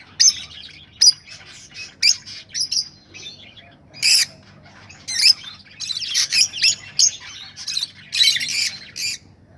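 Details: Rosellas vocalising to stimulate mating: repeated sharp, loud squawks every second or so over steady high chatter, growing busier and denser toward the end.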